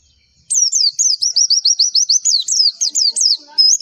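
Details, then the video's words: Javan white-eye (pleci) bursting into an energetic series of sharp, high, up-and-down chirps, around four a second, in a lure recording meant to get other birds answering. "MASTERAN AMPUH PLECI, Klik sekali semua pleci pasti nyaut"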